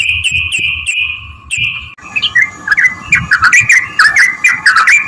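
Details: Yellow-vented bulbul (trucukan) giving a chirpy lure song for drawing answers from other bulbuls. Smooth slurred notes open, then a busy stretch of scattered bubbly chirps against a rough noisy background.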